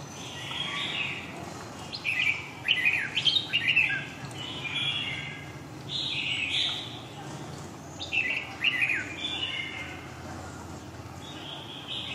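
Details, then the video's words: Huế giọng dài, long-voice song, from a red-whiskered bulbul: a series of short, bright, slurred whistled phrases, some rising and some falling, spaced through twelve seconds with brief pauses and faint hiss behind. "huế giọng dài 2"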